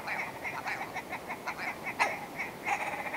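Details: Willow ptarmigan giving a run of harsh, nasal clucking notes, about two to four per second and unevenly spaced, with a louder, sharper note near the middle and another at the end.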